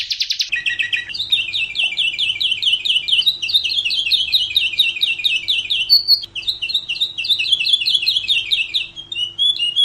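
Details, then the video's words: Canary singing a training song for other birds: a dense, rolling trill of quick repeated notes held for several seconds, a brief break, then more rolling trill, over a faint low hum. "Masteran Suara Burung Kenari"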